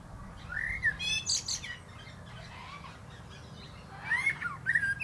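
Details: A common blackbird sings atop a plum tree: a soft rising whistle, then a buzzy high trill, a quiet gap, and a final burst of sweet fluted notes with squeaky endings.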